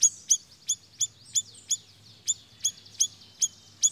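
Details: Siri-siri bird used as a lure call to attract other birds: sharp, high, clipped chirps repeated about every third of a second, each note a quick downward flick, with a faint low hum underneath.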